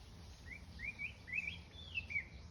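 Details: Morning birdsong: a series of quiet, short rising chirps and slurred whistled notes, each about a quarter second long and coming in close succession, over a low background hum.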